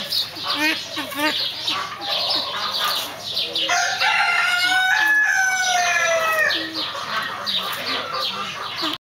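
Silver pheasant giving a quick run of rough, clucking notes, then a longer, drawn-out, crowing-like call; other clucks continue in the background.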